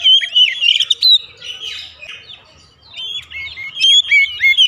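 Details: Oriental magpie-robin kept at home, its song used as a lure to get other birds singing: bursts of clear, high whistles and sweeping slurred notes, a softer scratchy middle section, then loud whistled phrases return.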